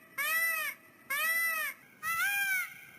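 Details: Peacock giving its mating call on a small farm: three loud, nasal, wailing calls, each about half a second long with rich arched harmonics, spaced roughly one second apart, over a quiet background.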